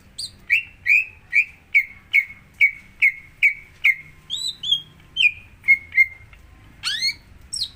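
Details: Greater green leafbird song played to prompt another bird to sing: a series of clear whistled notes near the same pitch, repeated about twice a second, then higher sliding whistles and a sharp rising note at the end.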